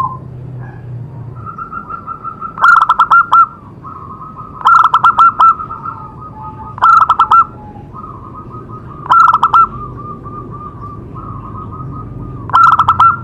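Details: Zebra dove singing to stimulate other doves: loud bursts of rapid stuttering coo notes every two seconds or so, linked by a steady softer purring tone, over low background noise.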